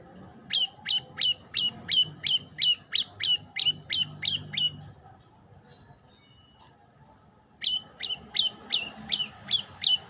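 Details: Olive-backed tailorbird singing a fast run of about thirteen sharp, high, hooked notes. After a pause of nearly three seconds, a second series of similar notes begins. A low background hum runs throughout.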